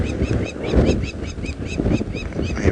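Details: In windy conditions during an afternoon sunset drive in Sabi Sand, South Africa, on November 19, 2017, lapwings arrive and give rapid, repeated sharp piping alarm calls at nearby cheetahs, over a low wind rumble.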